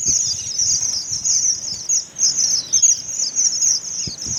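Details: Several strawberry finches in Karachi sing together, producing a continuous thin, shrill, wavering twitter high in pitch with brief dips, plus a few faint low thumps near the end.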